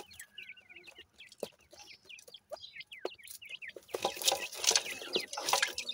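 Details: Grey francolin chicks calling: many short high chirps and upslurred peeps, overlapping and irregular, with clicks and a burst of broadband rustling near the end.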